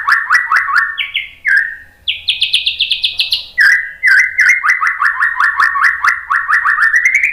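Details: White-rumped shama in energetic provoking song for other birds: continuous rapid trills of repeated slurred notes that jump between low and high pitch levels, switching phrases every second or two, ending with a rising run.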